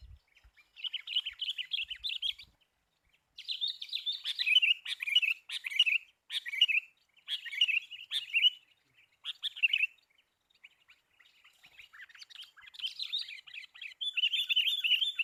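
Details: Sooty-headed bulbul during bird trapping, called very fierce: long runs of lively, bubbling chatter broken into phrases of one to two seconds with short pauses, high and clear against a quiet background.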